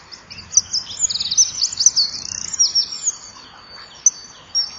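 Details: Male and female common kingfishers calling 'chip-chip' while pursuing an intruding third bird, nest-wall camera, early morning of 2 March 2014: a burst of shrill, piercing whistles and fast trills mid-clip, then brief isolated sharp notes near the end.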